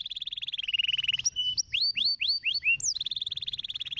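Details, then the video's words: Canary singing to encourage other canaries: opens with a rapid, dropping trill, breaks into a short series of clear downward-swooping whistles, then returns to a fast steady trill. "Não demorou muito tempo para fazer os canários cantarem"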